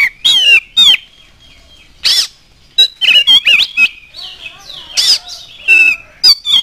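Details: Oriental magpie-robin lure song for making other birds sing: loud warbling whistles, sharp chattering bursts and sliding notes delivered almost continuously with brief breaks.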